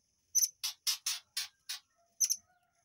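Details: Murai air used to train white-rumped shamas, delivering a quick string of five raspy high notes between two sharper chips, all within about two seconds, with a faint low whistle trailing.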